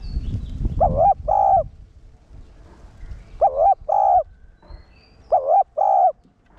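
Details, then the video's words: One-tail-note cooing of a decoy spotted dove for rousing caged males: three two-part phrases of a wavering coo and a held coo, roughly every two seconds, with low rumbling noise early on. "Cu gáy mồi cây 1 hậu gù, thúc kích bổi điên máu ức chế. cu đất gáy"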